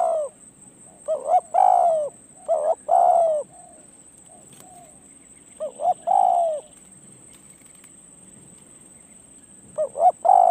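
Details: Spotted dove recorded close up during a decoy-luring perch session: loud, rich, hollow coo phrases of a few notes each, repeated roughly every four seconds with quiet gaps, a faint high insect whine throughout.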